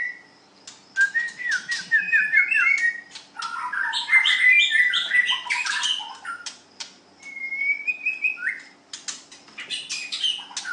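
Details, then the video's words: White-rumped shama (murai batu) singing in a song-strength contest: loud, varied phrases of clear rising whistles mixed with dense harsh chatter and sharp clicks, a brief pause near seven seconds, then more whistles over a faint steady low hum. "Ocehan Burung Murai batu white rumped shama"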